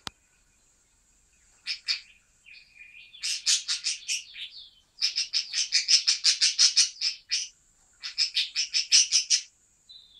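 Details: Male budgerigar newly added to a flock, first day at its new home on 14 December 2013, giving rapid clusters of sharp, buzzy chirps in repeated bursts, with short pauses and a steady faint high whine behind.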